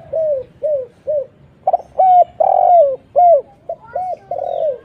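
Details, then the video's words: A spotted dove's lure call for drawing in other doves: several short mellow coos, then louder, longer slurred notes in quick sequence, clear and uncluttered. "suara PANCINGAN TEKUKUR GACOR"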